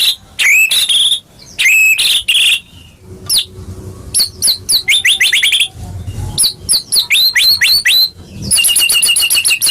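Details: White-rumped shama song for coaxing caged birds to sing: rich varied phrases of quick whistled slurs and chips, some clustered in rapid runs, with short gaps and a fast trill at the end.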